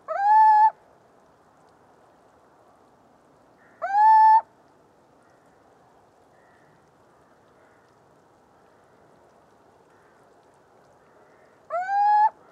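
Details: Song of the little owl, Athene noctua: three clear rising hoots with long silent gaps of four to eight seconds between them, steady in pitch once they climb.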